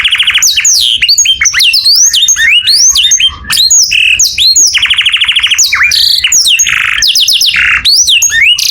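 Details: Canary singing in the morning, a busy mix of sliding whistles, short buzzy trills and chattering notes, changing phrase every second or so.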